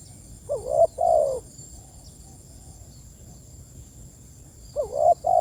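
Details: Spotted dove calling its companions: two low, hoarse cooing phrases, each a short rising note and a longer wavering coo, about four seconds apart, over faint steady background hiss.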